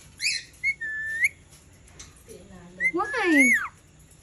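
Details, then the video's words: Indian ringneck parakeet described as angry, kept indoors as a pet: short clear whistles and a rising whistle, then a loud harsh harmonic squawk sweeping up and down, with a person's voice softly nearby. "ANGRY INDIAN RINGNECK SOUNDS"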